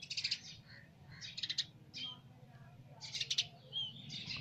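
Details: Baby sparrow calls as rapid, piercing chirp clusters, several notes per burst, repeated at irregular intervals, over quiet low background noise.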